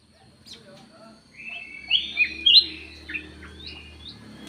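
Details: Black-naped oriole lure call: a cluster of loud whistled notes with rising and falling slurs, then softer scattered chirps, over a low background hum.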